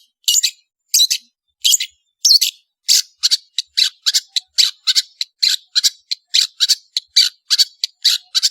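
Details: Cendet, the long-tailed shrike, singing energetically: a steady series of short, harsh, rasping high notes, at first about one per second, then quickening to roughly two per second.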